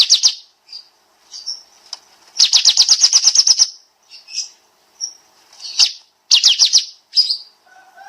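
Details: Bulbul known as kapas tembak in a training master recording: short high chirps interspersed with long rapid trills of sharp repeated notes, some bursts lasting over a second.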